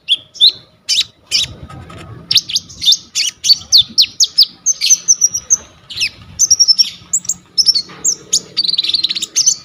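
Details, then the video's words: Tutor song of a chatty purple-throated sunbird (kolibri ninja), phone-recorded: dense run of very high, thin chips and rapid stuttering notes, ending in a fast rattling trill; faint low background hum. "KONIN GEACOR FULL ISIAN 99% COCOK BUAT MASTERAN KOLIBRI NINJA TROTOL/IJOAN"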